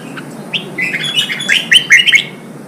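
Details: A short red-whiskered bulbul phrase meant to fire up wild-caught birds for fighting: a rising whistled note followed by a quick tumbling string of liquid, warbling notes.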